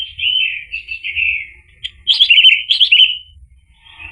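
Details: Orange-headed thrush song played as a lure to make a silent bird answer and sing freely: high warbled phrases, a pause, then a louder run of rapid, rolling, slightly rising notes, with faint hiss between.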